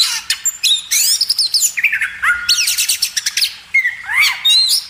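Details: Magpie robin training song for cage birds: sweeping slurred whistles mixed with a rapid rattling burst and a few clear rising notes.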